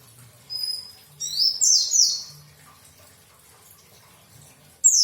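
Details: Pleci (white-eye) song: a few high, bright descending twittered phrases around 0.5 and 1.2 to 2.2 seconds, then a last brief burst at the end, over quiet low hum.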